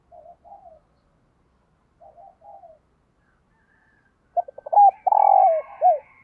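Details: Spotted dove decoy cooing in the morning to call in wild doves. Soft, distant paired coos come first, then a loud close phrase of short staccato notes and a long throaty coo ending in a falling note.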